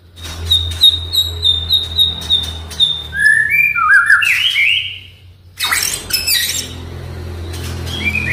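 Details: Oriental magpie-robin song used as a lure to get a quiet bird singing. A series of short high whistled notes repeats steadily, then lower slurred twisting phrases, then a harsh rasping burst and scattered whistles.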